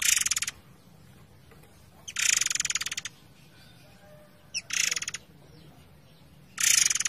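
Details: Forktail song for training other songbirds, set over a background of flowing water: four loud, harsh, rapidly pulsed rattling bursts, each half a second to a second long, spaced about two seconds apart, with steady soft water noise between.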